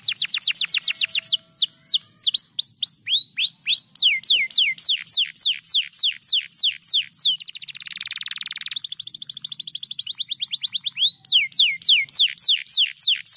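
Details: Canary song made of fast, repeated sweeping notes falling from high to mid pitch, about three to four a second, broken briefly by a harsh buzzy trill before the sweeps resume.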